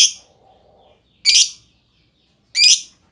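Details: Lovebird giving single sharp, high chirps spaced over a second apart, three in all, as part of a lure recording meant to set other lovebirds singing.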